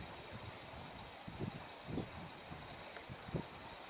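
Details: A female Downy Woodpecker in Pelham on January 30, 2025, pecks in soft, irregular dull knocks, a few each second in loose bursts, with faint high chips in the background.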